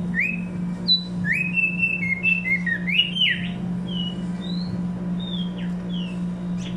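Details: Singing tumba yegua giving varied whistled notes, some rising, some falling and warbled, in a quick run, then sparse thin high whistles, over a constant low electrical hum.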